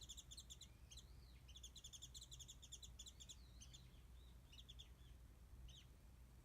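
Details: A wild warbling white-eye sings in a tree over a garden feeder offered mandarins, captured by smartphone from afar; fast high chirp trains mix with looping, rising-and-falling whistles, thinning out toward the end, over low background hum.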